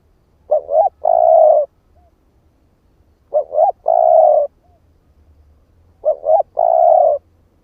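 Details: Lure call of a spotted dove, 'ức chẻ' type: three low phrases roughly every 2.8 seconds, each a double rising note followed by a long even coo, a faint short note trailing the first two.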